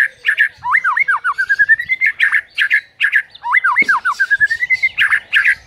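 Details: Morning lure song of a white-rumped shama, meant to get a silent bird singing: harsh doubled chatter notes around loud looping whistled slurs and a rising run of short clipped notes, repeated twice.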